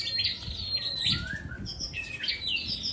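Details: Caged Aceh white-rumped shamas in a singing contest, two birds matched against each other; clear whistled phrases, some sliding up and others falling, repeated with short gaps, over a low background rumble.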